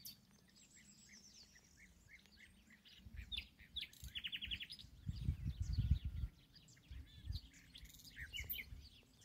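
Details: Nightingale singing from an ash tree near a house, a rich varied song with quick chirps, a rapid rattling trill of repeated notes and brief whistles, over low rumbling background noise.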